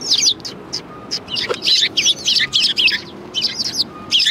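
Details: At a Tenmangu shrine on 4 March 2020, a flock of sparrows keeps up busy, high chirping, notes tumbling over one another in rapid bursts, with a faint steady tone and low noise behind.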